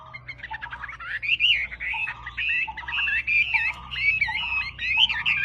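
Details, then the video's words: Wambi singing a string of looping, slurred whistles, each short phrase dipping then rising, repeated steadily over a low background hum. "Wambi Gacor"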